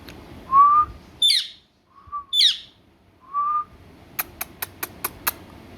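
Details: Talking parrot giving short flat whistles alternating with two harsh squawks, then a rapid run of six crisp clicks, over low background hum.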